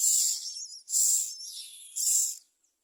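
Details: Common myna chicks in a nest screaming for food; three very high, hissy screeching bursts about a second apart, each fading into a thinner trailing squeal.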